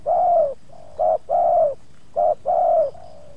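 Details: Spotted dove in a luring session in Subang, challenging two wild doves that approach one yard. Soft hooting coos in short-then-long pairs, the long notes gently falling, repeated about once a second.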